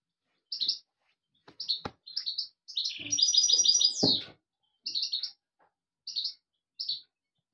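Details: Song of a European goldfinch: clipped high chirps lead into a dense, rapid twittering trill that ends in a downward slur, followed by more evenly spaced chirps, with a few sharp clicks.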